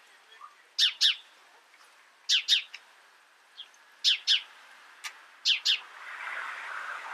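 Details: Paired high chirps from a house sparrow, each pair a quick cheep-cheep, repeating about every one and a half seconds, with scattered faint single notes and a low hiss rising near the end.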